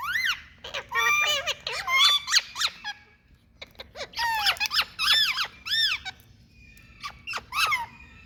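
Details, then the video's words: Loud Indian talking rose-ringed parakeets: clusters of shrill, arched squeaks and rasping notes, a quieter gap near three seconds, then more ringing screeches over a faint low background hum. "All Peace Full Loud🎊Noises Indian Talking Parrots"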